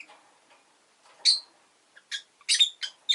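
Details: Rosy-faced lovebird chirping: sharp, shrill, squeaky notes given singly and then in a quick uneven burst of four or five, with soft murmurs between and a quiet background.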